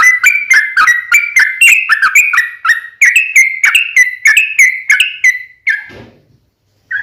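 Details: Sooty-headed bulbul song used as a lure to draw other bulbuls into answering: a rapid chattering run of short bubbly whistled notes, about three per second, with sharp upper clicks, ending in a brief pause and one more note.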